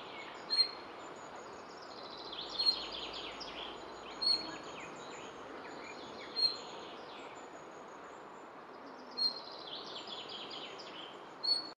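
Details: Anxious nightingale at its nest gives sharp, high, piping notes, repeated roughly every two seconds, mixed with faint softer chirps, against constant hissing background noise.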